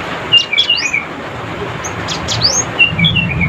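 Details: Cinereous tit singing to call rivals, a chattering song of short clear whistled notes with upward and downward slurs, given in two quick clusters about two seconds apart over a faint low rumble.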